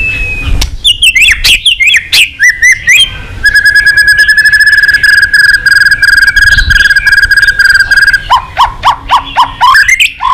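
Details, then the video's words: Excited White-rumped shama singing many voices. Quick whistled notes open into a long, steady buzzy trill held for about five seconds, followed by a string of sharp chipping notes. "Chòe Lửa tạch đập đuôi kích lửa cực sung. kích chòe Lửa lên lửa sổ giọng.chòe Lửa hót nhiều giọng"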